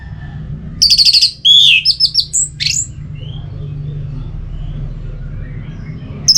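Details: Orange-headed thrush delivering a varied song, played to prompt other birds to sing: a two-second medley of high sharp whistles, slurred notes and downward sweeps in quick sequence, then quiet before a new note begins.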